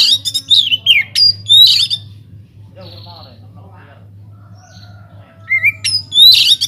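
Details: Captive Oriental magpie-robin in an aviary, in lively song used to prompt other birds: loud fast phrases of whistles and rasping squawks, a quiet gap with faint notes, then a rising whistle and another strong burst.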